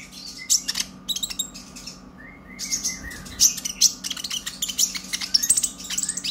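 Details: Young brown-chested purple-throated sunbird, just out of spotted juvenile plumage and learning to sing, used as a lure to excite other sunbirds; rapid, excited high twittering of thin chirps and sharp tweets in dense bursts, with a steady low electrical hum behind.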